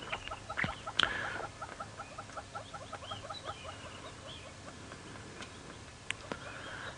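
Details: Southern Yellow-billed Hornbills call at sunrise in Sabi Sand, South Africa, in mid-November, waking up before wing displays: a long run of hollow clucking notes, about three per second, with higher whistles from other birds and sharp clicks.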